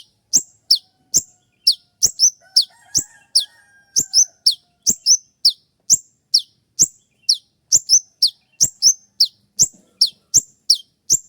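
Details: Long, rapid run of the kolibri ninja's 'shot' song, meant as tutor material for songbirds: dozens of sharp high downslurred chirps, some paired, tumbling close together for eleven seconds, with a faint whistle near the two-second mark.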